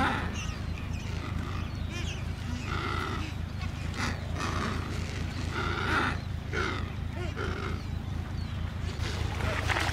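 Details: Adélie penguins at a breeding colony of some 150,000 pairs on Paulet Island, Antarctica, 1 February 2019: overlapping harsh, braying calls rise in bursts from many birds, over a steady low rumble.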